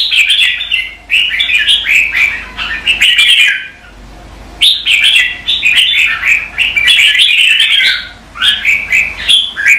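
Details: Red-whiskered bulbul performing competitive morning song: lively bursts of warbled, chattering whistles with sharp chirped notes, broken by brief gaps, over a steady low background hiss.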